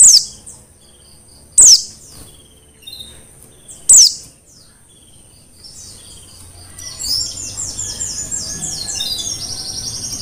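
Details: Mountain white-eye, wild-caught on Merapi, first gives three loud, sharp descending notes about two seconds apart, then breaks into a fast, continuous, high twittering song over light background noise.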